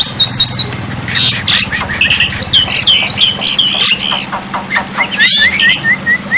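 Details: Black-winged myna tutor song, with water therapy, aimed at making silent birds answer: wavering high warbles, harsh buzzy notes, then a series of short rising whistles repeated quickly at the close.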